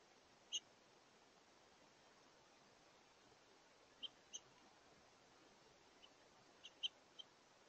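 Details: Several house finches flying in to feed at a bird feeder around brunch time on a warm, windy 16 November 2023; a few short, high, sharp chirps scattered over a quiet hissing background.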